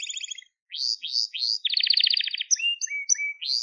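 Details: Crested Gloster canary singing for training young birds: a rapid trill, three rising swept notes, a long rolling trill, then short flat whistles and a final rising sweep.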